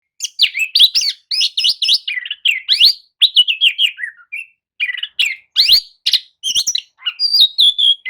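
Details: Oriental magpie-robin lure song, played to rouse listless birds into answering and singing: a fast run of varied whistled phrases, rising slurs and sharp clicks, mostly high and bright, with short pauses between bursts.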